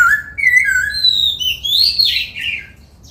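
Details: Caged laughingthrush in song training for the 'bắt cô trói cột' voice, singing while dancing: a clear whistled phrase sliding downward, then a brighter rising and warbling run, all loud against a quiet room.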